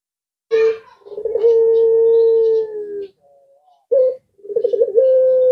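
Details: Collared dove known as puter pelung, said to set other birds calling back: a short low note, then a rolling start leading into a long, even, sustained coo, a pause, and another rolling coo begun.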